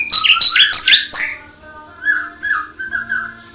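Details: White-rumped shama of the mottled Medan type: four loud, rapid high whistled notes with sharp clicks, then softer, lower mellow whistles fading out.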